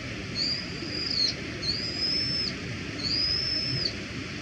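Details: Brown-eared bulbul giving three drawn-out, high whistles in a row, each slightly slurred at the start and ending in a small downward flick, over steady low background rumble.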